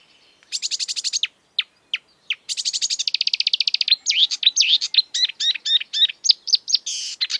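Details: Singing marsh warbler, an exuberant mimic of European and African birds in the breeding season: rapid rattling trills, isolated sharp clicks, then a chattering series of looping whistled notes and a final harsh burst.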